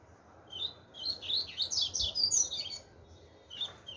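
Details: Chopi blackbird in the 'tui tui zero zero' song style: a tumbling phrase of high, clear whistles and chirps lasting about two seconds, followed by a short pause and a few more notes.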